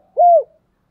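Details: Single clear coo from a spotted dove used as a decoy bird, a smooth level tone that bends gently downward at its close, in a quiet setting.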